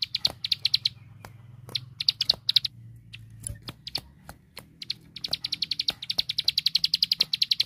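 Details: Plain prinia, locally ciblek sawah, whose song serves to train bigger birds: broken bursts of rapid high notes, a quieter gap in the middle, then a long fast rattling series, with scattered sharp clicks.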